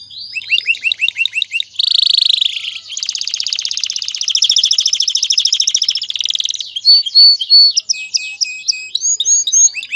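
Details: Male canary song meant to ready the female for mating and nest building: quick high rolls, then a long, loud, buzzy trill lasting several seconds, closing with clipped rising whistles repeated in a fast series.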